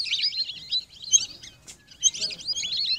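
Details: High twittering whistles of lesser whistling ducks in two dense bursts separated by a near-quiet pause of about half a second.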